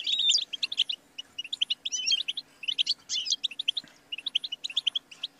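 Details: Twittering European goldfinch song: a thin whistled note opening a tumbling run of high chirps, broken by short gaps into phrases about a second long, with a low steady hum behind.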